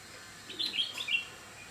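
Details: Red-whiskered bulbul outdoors in nature giving a brief bright warbled phrase of three or four quick whistled notes, rising and falling, over steady background hiss.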